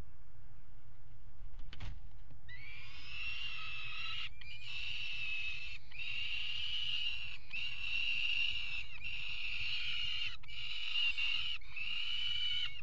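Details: Peregrine falcons mating on the ledge of a nest box on a water tower in Axel, Netherlands, 5 February 2018; after a click, harsh grating wails, each about a second long, repeat in a steady series over a constant low hum.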